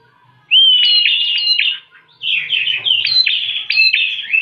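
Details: Bar-winged prinia singing as a lure: a rapid, energetic run of bright chirps and thin whistled slides, broken by a brief gap before another equally loud chattering phrase.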